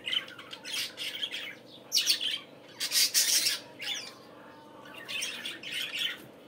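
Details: Budgerigars on a morning warbling in clustered bursts of buzzy, grating squawks separated by short quieter gaps, with a constant low hum in the background.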